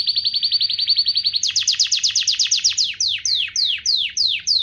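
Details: Canary singing a rapid, even trill of high notes repeated many times a second, then jumping higher into a series of loud downward-sweeping whistles repeated about twice per second.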